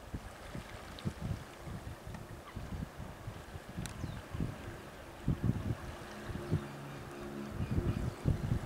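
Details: Steady low wind rumble and water-like buffeting with irregular gusty thumps, and no animal voice.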